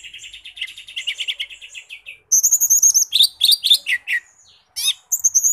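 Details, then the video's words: Lesser green leafbird, locally called cucak ijo mini, singing energetically: a rapid buzzy trill of repeated notes, then loud high sharp whistles and descending slurred phrases, all clear with no other sounds. "Suara Khas Burung Cucak Ijo Mini Gacor"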